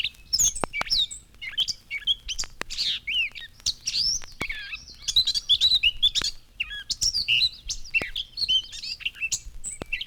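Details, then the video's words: A plain gray Gray Catbird in spring runs a rambling medley of squeaky, scratchy whistled phrases and cat-like calls, each given once rather than in pairs, unlike a thrasher; no other sounds. "We certainly would have difficulty putting words to its music, but its cat-like calls are a giveaway."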